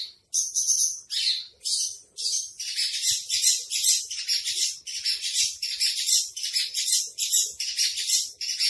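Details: Javan bush lark singing trotol style: a few spaced harsh notes that run into a dense, rattling chatter of rapid high buzzy notes.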